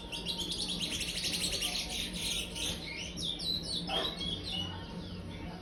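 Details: Chestnut-bellied seed finch, a five-month-old brown-plumaged youngster, delivering praia-style song: a rapid, dense stream of sweet whistled and twittering notes for about four seconds, fading into softer phrases over a faint low hum.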